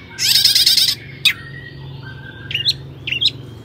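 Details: Long-tailed shrike song meant to stir other shrikes into singing: a loud harsh rasping burst, one sharp high note, then two softer squeaky, twisting phrases.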